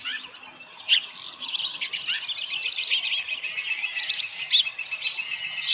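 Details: Osprey with a small live fish at a ranch nest, 13 July 2018, about 7:10 AM; steady, even stream of high chirps, moderately loud, with a few sharper notes standing out.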